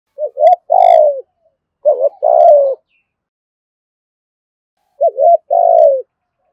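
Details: Spotted dove cooing, used to provoke wild doves into calling back; three phrases, each a short wavering double note followed by a longer mellow coo that slides downward, with pauses between.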